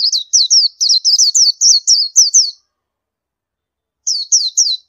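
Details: Indian white-eye calling in a fast run of about a dozen high, slurred chirps, each dipping then rising, followed by silence and a brief three-note burst.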